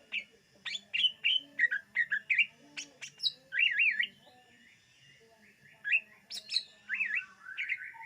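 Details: Greater green leafbird song played to lure birds: lively chirped notes run into looping, wavy whistles, with sharp high ticks and brief quiet gaps between phrases.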